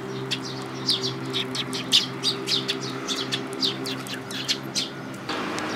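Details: Sparrows at a Tenmangu shrine on 5 May 2022: many short, bright chirps in quick irregular succession over a steady low hum, with a brief noise at the end.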